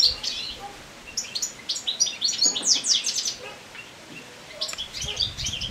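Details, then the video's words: European goldfinch singing in late summer while moulting: bursts of bright, rapid twittering and tinkling notes with short buzzy trills, mostly high-pitched, broken by brief pauses. "Goldfinch singing naturally song"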